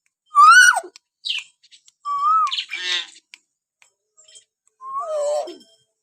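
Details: Common hill myna whistling naturally, as a lure to stir pet mynas to call: three loud arched whistles, the last bending sharply downward, separated by short harsh rasps.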